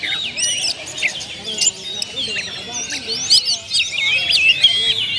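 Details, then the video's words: Oriental magpie-robin, locally called kacer, singing a busy medley of bright whistled phrases, rising and falling slurs and scratchy chirps, almost unbroken for the whole stretch; low murmurs faintly behind. "PANCINGAN SUARA BURUNG KACER ,BONGKAR ISIAN"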